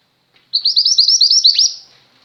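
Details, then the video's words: A female mantenan gunung white-eye sings busily, recorded as a tutor song for pet birds: one high phrase of about ten quick, sweet warbled notes at an even pace, finishing with a falling slur, with no other sounds. "mantenan gunung betina gacor, cocok untuk masteran burung pleci anda"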